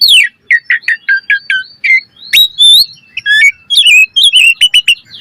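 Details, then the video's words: Asian pied starling singing a lure song for training, with a falling whistle, a string of short repeated chirps, then mixed squeaky notes, buzzes and rapid clipped whistles. "Pancingan Jalak Suren Gacor Mompa Full Variasi - Masteran Suara Burung Jalak Cepat Gacor Full Isian"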